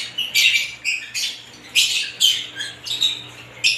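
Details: Several kinds of lovebirds chattering together: bursts of shrill, scratchy squeaks and chirps in high pitch, coming in short clusters about every half second with brief pauses between, against a faint steady low hum.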